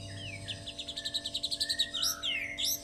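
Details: White-rumped shama song imitating a lovebird: a rapid accelerating series of high chirped pulses followed by bright whistled sweeps, over a constant low hum.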